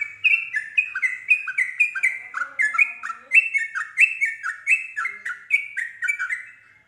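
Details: Yellow-vented bulbul singing in a fast, lively run of short whistled notes, each falling in pitch, repeated about twice per second with bright overtones; used to draw other bulbuls into singing.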